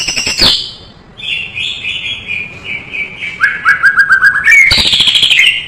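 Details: White-rumped shama in full, rich tutor song: a sharp opening burst, a long run of quick whistled trills, a rapid series of lower clipped notes, then a loud harsh rattling phrase.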